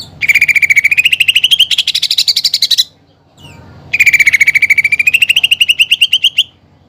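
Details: A greater green leafbird sings bursts of imitation material, fighting-sparrow and pelatuk bawang phrases: two long, fast, buzzy trills of evenly spaced notes, each starting lower and climbing gradually, separated by about a second of quiet.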